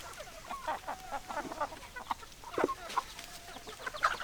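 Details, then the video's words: Chickens, hens and roosters together, giving a busy stretch of overlapping short clucks and murmured calls from several birds, with a couple of louder sharp notes near the end over a steady background hiss. "Chicken Sounds Noises Hens Clucking Roosters Crowing"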